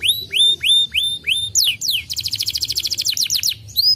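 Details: Canary singing to provoke other canaries to sing: repeated upward-curving whistles, a few long downward sweeps, then a rapid buzzy trill of short notes, ending with another rising whistle.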